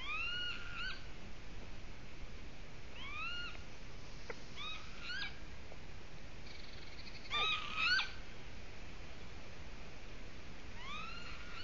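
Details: Golden eagle bringing nest material to its nest in Latvia; repeated high, upward-sweeping whistled yelps in loose groups, with a few short clicks and knocks between them and a steady hissing background.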